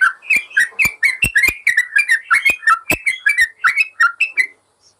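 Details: Yellow-vented bulbul song used to train caged birds that have stopped singing: lively, tumbling whistled notes in fast succession, slurring up and down, ending in silence.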